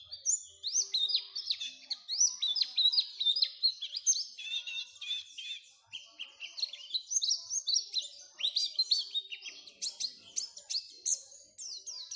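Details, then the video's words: Oriental white-eye song used as a lure to make other white-eyes sing keenly: a dense, fast stream of high, sharply falling and rising whistled notes, busy and unbroken for about twelve seconds, with faint low sounds beneath. "Pancingan supaya pleci cepat gacor"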